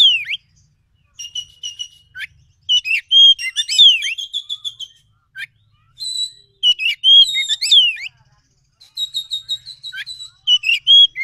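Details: Forest Oriental magpie-robin song played as a lure to draw an excited answer: a dense, continuous run of varied whistles, trills and clipped chirps in bursts of two to three seconds, clear against silence.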